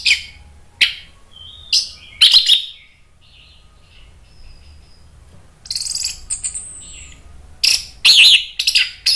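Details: Orange-headed thrush (anis merah) provoked by a lure recording, agitated and answering: loud, harsh chip bursts alternate with thin, clear whistled notes and short warbled phrases, in clusters separated by quieter pauses.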